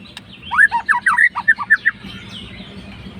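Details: White-rumped shama, a fighter bird provoking a rival, delivers a short, quick series of about ten clear chopped whistled notes in just over a second, then falls silent against a low background hum.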